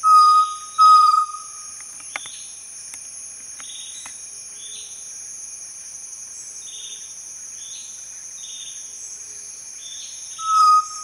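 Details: Chestnut-necklaced partridge giving two pure whistled notes at the start and one near the end, with a long quiet stretch between them full of repeated short insect chirps and a constant high buzzing drone.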